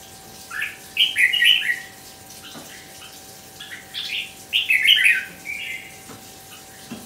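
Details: Red-whiskered bulbul singing at a bird singing competition: two bursts of bright, warbled whistled notes, each rising and falling quickly, separated by a pause of a few seconds, over a faint steady hum.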